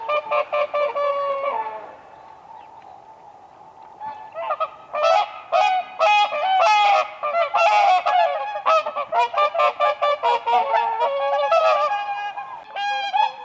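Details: Whooper swans dancing on ice on a spring lake, a loud excited chorus of rapid, brassy trumpeting honks from several birds, rising in intensity halfway through.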